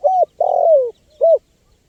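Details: Spotted dove calling, recorded for use as a lure for wild birds: a short steady coo, a longer drawn-out coo sliding downward, then a brief arched coo, all low and mellow against a quiet background.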